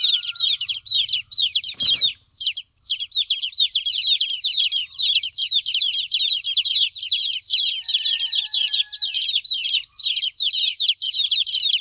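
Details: Baby chickens calling for their absent mother: continuous shrill peeping from several chicks, rapid repeated falling notes, a short thud near the start and a faint whistle-like tone later.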